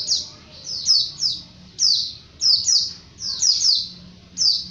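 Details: White-eye in lively 'ngalas' style song, recorded for training other birds: high, thin, downward-slurred chirps in short bursts, each phrase dropping sharply, separated by brief pauses, with a faint low hum underneath.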